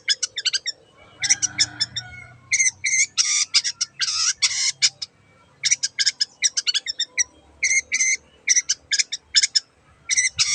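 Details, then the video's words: Long-tailed shrike in 'gacor' song meant to stir a mute bird into song: loud harsh rasping bursts and rattling chatter come in fast clusters with brief silences between. "BURUNG CENDET GACOR YANG BISU JADI BUKA SUARA DAN IKUT BUNYI"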